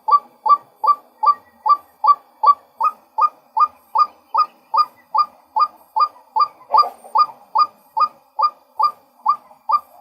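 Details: Monotonous, fast string of around twenty-four clipped, nasal notes from a male White-breasted waterhen, repeated evenly at about two and a half per second.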